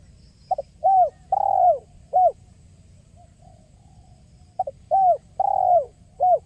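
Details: Spotted dove calling in the 'kuk 1' style, used as a lure for trapping: two phrases of soft coos, a short note, an arched coo, a longer rolling coo and a final brief coo, with a quiet pause between.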